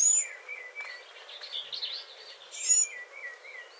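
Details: A Northern Mockingbird fledgling gives two very thin, high "seet" notes about two and a half seconds apart, quite unlike adult call notes. Lower wavering chirps from other birds fill the gap.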